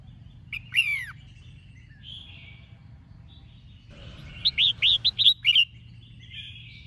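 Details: A female red-whiskered bulbul sings to stimulate males, giving a bright whistled phrase and then a quick run of five or six liquid, bouncing notes, with a low hum underneath.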